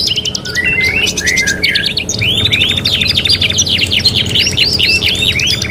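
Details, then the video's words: Energetic domestic canary in a '3 in 1' tutor mix: choppy high trills lead into a string of repeated arched whistles, fast and varied, with faint low background noise. "KENARI GACOR | CANARY SINGING"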